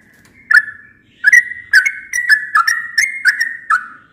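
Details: Yellow-vented bulbul heard at dawn, a bird that calls every dawn: bubbly whistled notes in short bursts, each starting with a sharp click, repeated about every half second with slight pitch steps.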